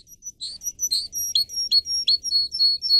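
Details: Singing pet canary delivering a quick run of varied high whistled notes, some sliding down, others clipped, following one another in a lively, uneven chirping rhythm.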